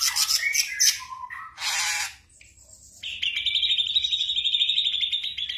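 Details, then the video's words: Black drongo song for training kept birds at night: clipped chattering notes and a low whistle, a loud harsh rasp, then a steady buzzy trill held for nearly three seconds to the end. "TERAPI SRIGUNTING MALAM HARI"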